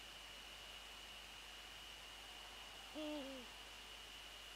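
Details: A single Eurasian eagle-owl call at night near the nest, from a January 2014 prey transfer: a short, nasal, level note that dips and then drops away, heard once after about three seconds of near silence and steady high hiss.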